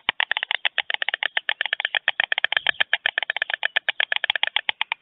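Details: Adult white storks at a nest in Germany at 5:38 a.m. on 24 June 2020, a mated pair greeting as one returns, clattering their bills: a rapid, dry, wooden rattle of dense clicks running steadily throughout, with a single storklet in the nest.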